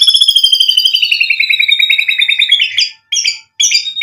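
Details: White-rumped shama song aimed at provoking a reply: a long, rapid buzzy trill gradually descending over nearly three seconds, ending in short bursts of sharp high notes separated by brief silences.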